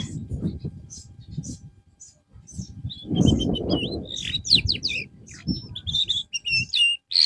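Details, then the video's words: Canary recovering from a drop in form sings quick chirps and whistled notes, sparse at first then denser, against loud low rumbling background noise. "TERAPI BURUNG KENARI SETELAH AMBROL"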